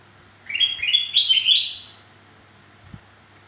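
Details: Black-crested bulbul singing to coax reluctant birds into song; one lively burst of warbled whistles rising in steps, about one and a half seconds long, followed by quiet and a faint low knock.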